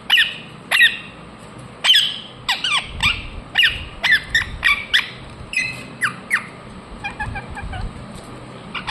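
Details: Indian ringneck parakeet chirping: loud, harsh falling squawks in an uneven run, bunching closer together midway, then trailing off into softer, shorter chattering notes near the end.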